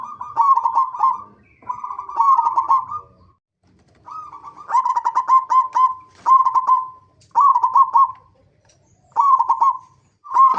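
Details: Local zebra dove singing as a lure meant to make other zebra doves sing: a string of loud, rolling coo phrases with brief gaps, each made of rapid stuttered notes.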